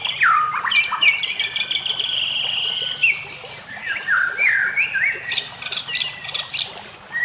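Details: White-rumped shama song meant to train other shamas: rich varied whistles, some held and wavering, others swooping up and down, with sharp high chips near the end and soft water noise beneath.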